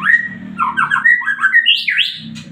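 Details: White-rumped shama, known as murai batu, singing energetically in full song: a flowing run of rich whistled notes sliding up and down, climbing to higher, sharper phrases at the end over a faint low hum.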